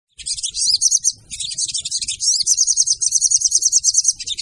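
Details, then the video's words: Female crimson sunbird calling, used as a lure to attract other sunbirds: high, thin, rapid twittering trills in dense bursts, with a brief pause near one second, then faster evenly repeated chips toward the end. "PANCINGAN SOGON TER AMPUH DENGAN SUARA SOGON BETINA!!!"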